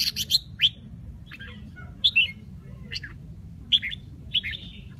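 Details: Red-whiskered bulbul, Bình Định type, Vietnam, its song said to switch among eight or nine notes: brief clear whistled and chirped phrases, two or three notes each, coming about every second against a quiet low background hum.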